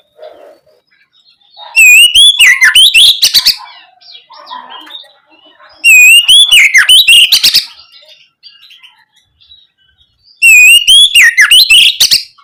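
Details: Oriental magpie-robin singing in full voice, played as a lure to prompt young birds to respond: three loud bursts of whistled, sweeping phrases mixed with scratchy buzzy notes, separated by pauses of about three seconds, with faint background chatter.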